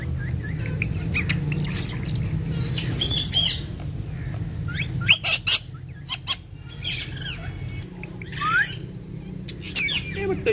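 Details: Pet ringneck parrots said to speak Urdu, talking and dancing with each other indoors: scattered sharp squawks and whistled chirps over a steady low rumbling background.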